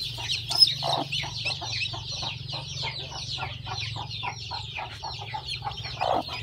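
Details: Hen that hatched her eggs, with her chicks: constant shrill, rapid peeping of many chicks, several notes a second, over a low steady hum and a few deeper clucks.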